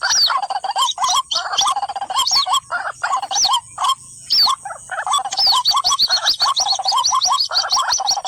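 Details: White-breasted waterhen lure recording used to draw birds in: strident, repeated croaking notes in rapid bursts, a brief lull near the middle, then a steady, fast train of similar harsh calls.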